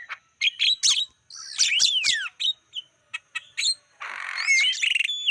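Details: Javan myna recording used as a lure to attract wild birds: a jumble of short harsh chips, squawks and a long downslurred whistle, followed by a buzzy burst with rising whistled notes at the end.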